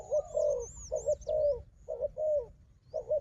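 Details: Fighting wild dove answering a decoy with throaty, wavering coo phrases in quick succession, backed by high, faint whistling from another bird.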